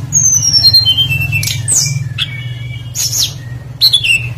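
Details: Tledekan flycatcher singing as a lure to prompt other birds: a long thin whistle stepping steadily downward, followed by harsh bursts and another falling whistle, set against a continuous low humming drone.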